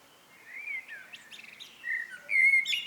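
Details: Soft rising fluted notes from a common blackbird in the evening, building to a louder clear whistle and a high squeaky trill at the end.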